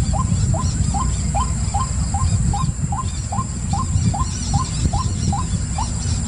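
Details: Evenly repeated rising notes from a white-breasted waterhen, about two per second. Faint high twittering comes from another bird, over a persistent low rumble.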